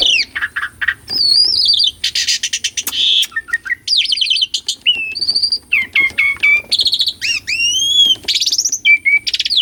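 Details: Asian pied starling, recorded for real, singing a varied song used as a lure for birds that have stopped singing: harsh noisy bursts mixed with clear whistled notes, rising and falling slurs and rapid clicking, nearly continuous.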